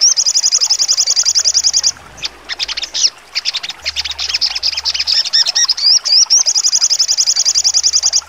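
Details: Sogon songbird singing piercing trotol song, used as training song for contest birds: a two-second rapid high trill, a busy stretch of mixed chirps and swooping whistles, then another long trill.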